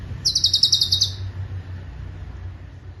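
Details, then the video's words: Cucak cungkok, a bird used to teach songbirds, giving a single short burst of about eight rapid, high, clipped notes, followed by quiet background hum. "Irama LaguNYA Jelas , Roll speed, Tembakan Rapat"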